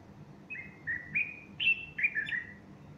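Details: Bulbul song on the morning of Sunday 30 August 2015, a female perched next to him puffing up her plumage; a quick run of about six bright, liquid whistled notes, each slurring up or down, over steady low hum.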